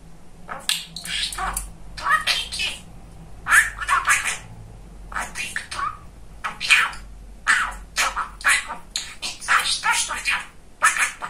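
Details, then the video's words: Talkative male budgerigar kept as a pet indoors, producing a long run of rapid, scratchy, speech-like phrases in quick bursts, nearly continuous over eleven seconds. "Очень Разговорчивый Волнистый Попугайчик"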